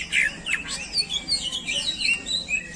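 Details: Greater green leafbird kept as a singing bird, delivering short whistled and chirping phrases in bursts about every half second, bright and varied in pitch, with men talking quietly nearby.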